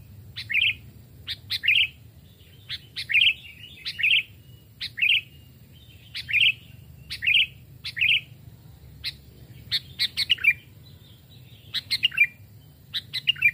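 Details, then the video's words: Sooty-headed bulbuls, wild-caught and kept since they were chicks, aged two and three, tested in woodland: many brief liquid, chattering phrases with sharp clicks, becoming denser and more excited toward the end, over a soft hum. "burung kutilang pikat||tes mental dan suara saat di hutan 2 jenis Burung Kutilang"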